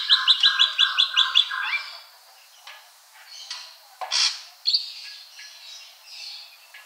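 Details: Ashy drongo opening with a fast rhythmic series of about ten sharp high notes over a lower tone, then scattered harsh rasping bursts and a short whistled phrase.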